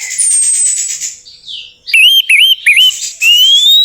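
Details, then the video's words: Orange-headed thrush song used as a lure to make a silent bird sing: a long high whistle glides down, then loud clear whistled notes with quick up-and-down twists, and a final long rising whistle. "PANCINGAN TERBAIK TERAMPUH UNTUK BURUNG ANIS MERAH MACET BUNYI, PASTI LANGSUNG NYAUT"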